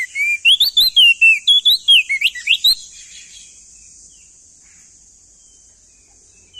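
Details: Loud, clear song of a male crested white-eye, a bird endemic to East Nusa Tenggara. A rapid string of sweet, swooping whistled notes runs for nearly three seconds, then fades into quiet hiss.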